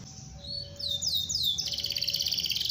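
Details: Singing canary with a long rolling song used to encourage other canaries to sing: a few rising sweeping notes give way to a fast, even, high trill, with a faint steady hum behind.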